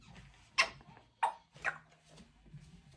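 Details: A chatty female Congo grey parrot at home chatters in short, harsh bursts, about three sharp rasping notes in a few seconds, with a low hum from the room underneath.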